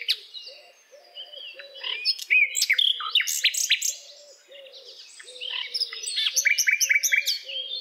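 A common nightingale sings varied phrases of sharp clicks, pure whistles and rapid repeated notes. A steady series of low, hooting notes continues underneath.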